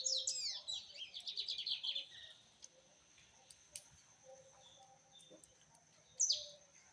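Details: Rusty-collared seedeater singing a fast, tumbling run of slurred, warbling notes for two seconds, then quiet with faint chips before a single sharp high note near the end.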